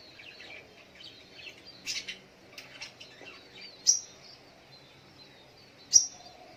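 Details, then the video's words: Little spiderhunter in the morning, giving two single sharp, high notes a couple of seconds apart, each dropping quickly in pitch, over a scatter of quieter, softer bird calls. "Suara Burung Sogok ontong di pagi hari"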